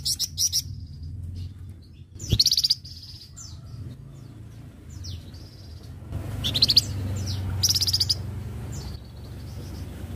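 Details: Flamboyan bird singing 'gacor', recorded as a tutor song for training other birds: thin, very high chirps and rapid buzzy trills in scattered bursts over a steady low background hum.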